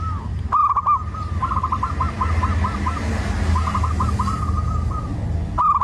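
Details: Zebra dove song of quick, bubbling coo series, a long run of evenly spaced notes followed after a pause by a second run and a final burst, against constant low-pitched background rumble.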